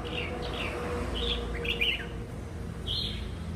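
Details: Wild-caught red-whiskered bulbul singing actively, a series of short warbled whistles, some rising and falling, spaced through the recording, with a faint constant low hum behind.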